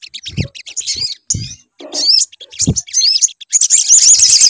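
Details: Sunbird lure song meant to get a bird singing. Broken bursts of high, squeaky twitters and upslurred whistles, with low dull thumps between, ending in a rapid sharp trill.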